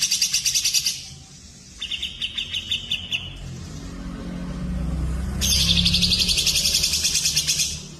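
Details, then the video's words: Cucak jenggot, cililin and canary mixed as tutor song: a fast, high, chattering trill, then a lower series of clipped repeated notes, then a long, loud, rattling trill, over steady low rumbling. "masteran cucak jenggot cililin kenari"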